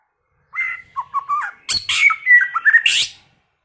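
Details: First-season white-rumped shama singing a continuous varied phrase of clear whistles, quick trills and a few harsh, scratchy notes, rising and falling in pitch over about three seconds.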